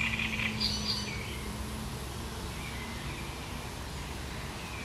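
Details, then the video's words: Great reed warbler recorded on 1 July 2020, giving its harsh, chattering song: a short burst of scratchy notes near the start, then faint, thin fragments over steady low background noise. "Trzciniak - Jego ostre, szczebiotliwy śpiew"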